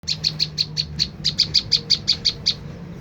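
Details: Olive-backed tailorbird lure call meant to provoke a reply: a fast series of about sixteen sharp, high chirps, each short and evenly bright, with a brief gap after the sixth, over a low background hum.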